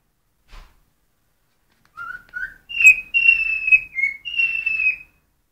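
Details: Pet cockatiel singing when hungry: a short soft tap, then a string of clear whistled notes, first low and rising, then higher, steady, slightly falling tones in quick succession, in a quiet room.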